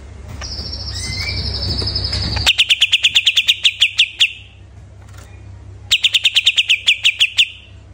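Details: Greater green leafbird recently out of moult: a long, level high whistle, then two separate bursts of about twelve quick, sharp chirps.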